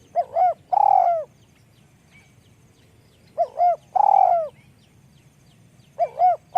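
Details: Spotted dove, noted for a small voice, cooing three times: each phrase has two short, soft hooting notes followed by a long, drawn-out coo that slides downward, repeated about every three seconds against a quiet background.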